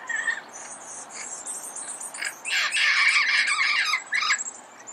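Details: Pasadena red-crowned amazon at early morning: a few faint notes, then a burst of loud, rasping squawks lasting nearly two seconds, with high thin chirps of other birds throughout.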